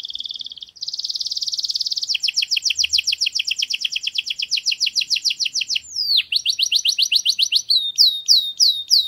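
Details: Canary tutor song meant for teaching young chicks, error-free: a buzzy tone opens into long rapid trills of repeated upswept notes, a sharp downward swoop, then quicker trills and a few slower descending whistles.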